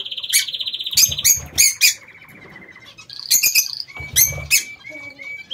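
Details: Lovebirds in a home aviary: a buzzy trilled note, then shrill chirps, a rapid chattering run, more sharp squawks and short repeated whistles.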